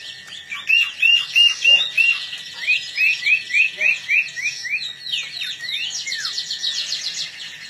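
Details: Singing long-tailed shrike readied for a contest gives runs of short downslurred whistles, about ten in quick succession. They are followed by dense scratchy, buzzy chatter over a steady background hum.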